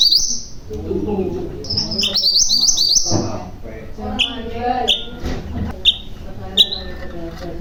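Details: Common iora (mantenan gunung) singing in bursts: a thin sustained high trill and a rapid stuttering roll, then several sharp isolated whistles. Murmuring lower sounds run underneath.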